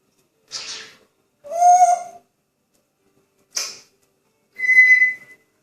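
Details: Pet grey parrot in a good mood making noises: a breathy rasp, a short hoarse talking-like call, another rasp, then a clear steady whistle, with silence between each sound.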